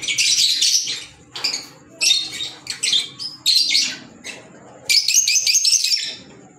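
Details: Pet green Fischer's lovebirds giving rapid, high-pitched twittering squawks in bursts about a second long, separated by brief lulls, shrill and harsh throughout.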